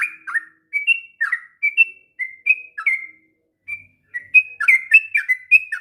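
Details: Sooty-headed bulbul, a diligent singer used to train young birds, delivers short fluty whistles, pauses for about a second, then resumes with a faster burst of bubbly notes.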